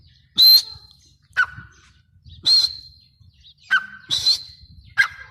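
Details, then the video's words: Grey francolin, called teetar, giving loud, harsh, strained notes roughly once a second, alternating a high piercing note with a lower rasping one, against a quiet background. "teetar sound | teetar awaz | dhakni tetar awaz"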